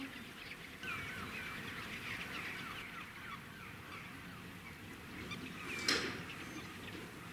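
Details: Wild common cranes (Grus grus) at Slimbridge, England, on 9 July 2017, where a reintroduced pair has a chick: overlapping, rolling trumpeted calls, a steady distant chorus broken by one sharp click near the end.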